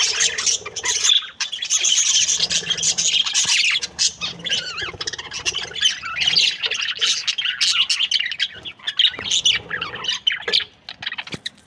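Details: Happy breeding pair of budgerigars chirping: dense, scratchy warbling chatter with harsh squawky notes, nearly continuous with short pauses.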